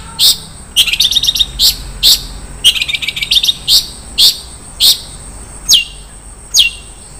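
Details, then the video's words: Long-tailed shrike, a cendet, singing a rich varied isian song: sharp repeated notes descending from high pitch, interspersed with rapid trilled buzzy bursts, phrases roughly every half second to second, over a faint low background hum. "SUARA BURUNG CENDET - ISIAN MEWAH"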